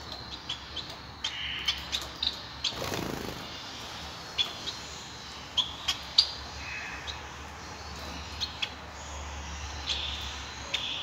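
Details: A male Society finch (Bengalese finch) singing gives soft, high, clipped chirps and ticks at irregular intervals over a steady hiss, with a brief rustling burst near the start.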